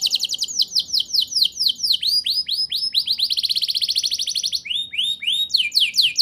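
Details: Canary singing a fast, varied song used to prompt young canaries to sing: rapid trills of sweeping notes, rising whistled phrases and a long buzzy rolling trill, all bright and continuous.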